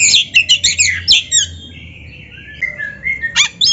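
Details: Gacor kacer (Oriental magpie-robin) tutor song for training beginner birds: a fast run of buzzy chattering notes, then a drawn whistled descending phrase and a final harsh burst.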